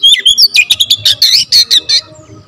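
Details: Oriental magpie-robin firing off rapid song with varied fill-ins: whistled slurs followed by a dense string of about ten loud buzzy, chattering notes, then quiet hum.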